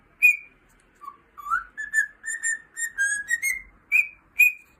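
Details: Pet cockatiel whistling a song: a bright opening note, then a low note rising into a chain of level whistles, finishing with two sharp, higher notes.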